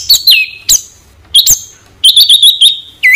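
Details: White-rumped shama (murai batu) training song of the sort kept for contest birds: loud clear whistles with sharp rising and falling sweeps, short pauses, then a quick run of five ringing whistled notes and a final dropping note; quiet background.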